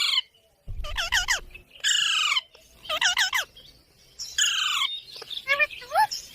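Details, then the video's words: Green parrot uttering repeated rich, harmonic calls in short clusters, with nasal downward-bending notes and brief pauses, a speech-like squawking pattern. "Parrot Talking video| Green Parrots moments"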